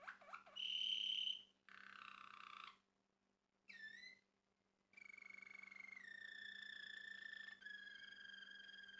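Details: Male Malinois Waterslager canary belonging to a Turkish breeder, singing short dipping notes, a loud pure whistle, a bubbling roll, silent pauses, then a long deep rolling trill.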